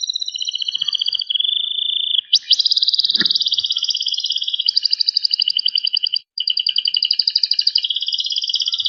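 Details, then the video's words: Panda-coloured Loper canary singing in the dense 'cengkok rapat' style: high whistled double notes give way to a smooth steady tone, then long runs of rapid, tightly packed trills with one brief pause and a faint click near the start. "KENARI PANDA GACOR Cengkok Rapat"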